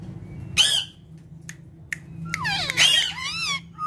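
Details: Three pet ringneck parrots: sharp squawks, then rising and falling whistled notes with wavering tones, short clicks between them, indoors.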